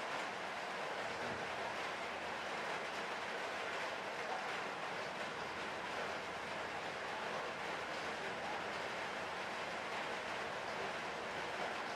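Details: Steady broadband rumble and hiss like a passing train, with no animal voice heard.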